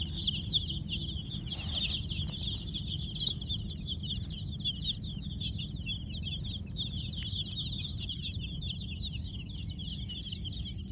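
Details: Kolor baby chicks chirping at night: many overlapping thin, high peeps in a constant busy flock chorus, with a low background hum underneath.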